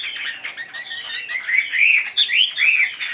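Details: Chinese hwamei, a fully tamed cage bird spreading its tail, delivering fast varied song: a scratchy warbling start, then bright looping whistled notes repeated in quick succession.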